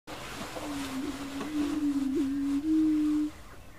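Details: Greater prairie chicken, wild, in Colorado, USA: a low, steady hooting moan held at one pitch for about three seconds, wavering slightly and swelling louder near the end, over quiet grassland background.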